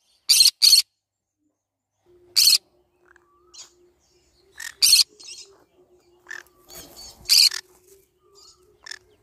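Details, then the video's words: Green-cheeked conure giving short, harsh, raspy screeches, a double burst at the start, then single shrieks spaced a few seconds apart, with faint softer chatter and a steady low hum between calls. "green cheek conure sounds"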